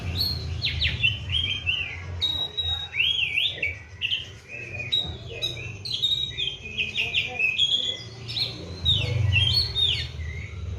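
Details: Caged Oriental magpie-robin on a diet of seven crickets with regular morning and afternoon baths, singing energetically: rich whistles, up-and-down slurs and rapid high notes strung together for over ten seconds, with a faint low hum behind.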